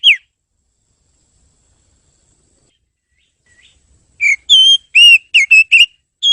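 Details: Oriental magpie-robin song, clear and loud: a single falling whistle, a long pause, then a burst of short, varied whistled notes, some rising and some slurred, in quick succession.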